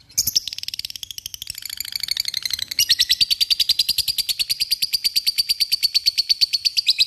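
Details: Ngekek long trill from a lovebird calling out to a rival and goading other birds to join in, starting ragged and high, then settling after about three seconds into a steady, rapid chatter of shrill, clipped notes.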